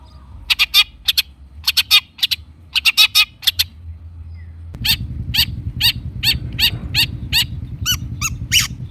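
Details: Long-tailed shrike in clusters of rapid rasping notes, then a steady series of evenly spaced harsh chips over louder low background rumble; a lure to get silent shrikes singing.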